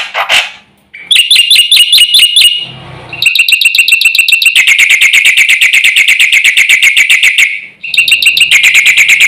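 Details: A Black-winged myna pours out energetic song said to make birds across the village restless: a harsh opening note, then long unbroken runs of fast, ringing repeated notes with a brief pause before resuming.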